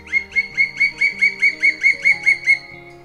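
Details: Black woodpecker in the Netherlands, the largest woodpecker there, giving a fast, ringing series of about a dozen high, clear, evenly spaced notes over soft background music.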